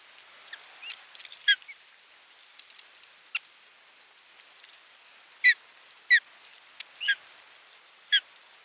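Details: Osprey at nest 3 of a Finnish nest camera, 27 June 2022, with a fish brought in and the feeding watched: sharp, high, squeaky whistles, spaced roughly a second apart, with softer notes and hiss in between.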